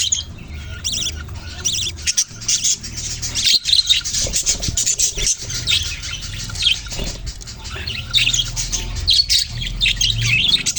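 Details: A flock of budgies chirping, thick overlapping high warbles and tweets building in intensity, with a low rumbling hum underneath and a few brief knocks.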